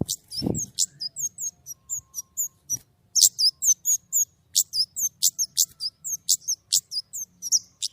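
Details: Long, lively stretch of white-rumped shama song: high clipped chips mixed with slurred whistles, delivered steadily about twice a second over a faint low hum, with one soft thud near the start.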